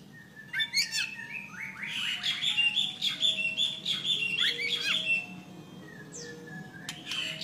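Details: An albino male Oriental magpie-robin, fanning its tail and ready to fight, sings a rich, varied song of bright whistles, quick chirps and scratchy trills, with a softer series of low, steady, descending tones behind it.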